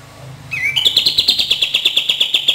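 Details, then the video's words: Cream-vented bulbul song played to stimulate birds that rarely sing: a sliding whistle, then a bright ringing note repeated about seven times a second in a steady high trill. "PANCINGAN DAN TERAPI KAPAS TEMBAK KURANG GACOR DAN MALAS BUNYI"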